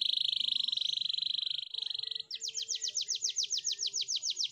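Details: Canary song used for training canaries: a steady, high, buzzy trill lasting about two seconds gives way to a fast rolling series of sharply descending whistled notes, roughly four per second, with a faint low hum underneath.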